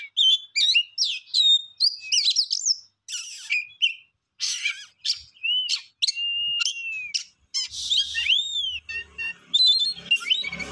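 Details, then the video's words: Songbird pouring out rapid chirps, buzzy bursts and slurred whistles with brief pauses, including a long arching note about eight seconds in. "Beautiful song bird"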